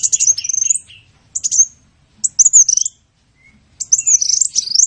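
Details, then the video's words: Sunbird song used as a training recording: short scratchy, twittering high phrases separated by clear pauses, each a tangle of quick rising and falling notes. "Masteran burung Kolibri"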